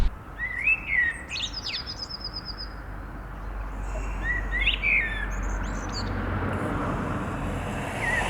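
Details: Common Blackbird in the city of Neuchâtel, a song heard in the evening and morning, often from a prominent perch; fluted, warbling phrases, each ending in higher squeaky twitters, over a steady low rumble of background noise.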